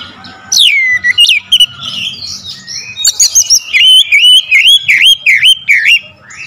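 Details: Powerful oriental magpie-robin lure song. It begins with steep falling whistles, then a warbled passage with high ticks. It finishes in a run of about six loud wavering whistles, each dipping and rising, repeated rapidly.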